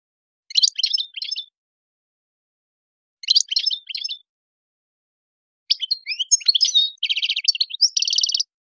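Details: Goldfinch song in the Tadmait style, meant to teach young birds clean singing: two short clusters of high chattering notes, then a longer phrase ending in buzzy, evenly repeated trills.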